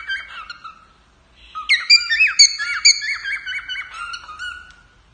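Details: A male cockatiel sings to its owner indoors: a soft opening whistle, then loud chirped notes and a wavering warbled trill that fades out toward the end.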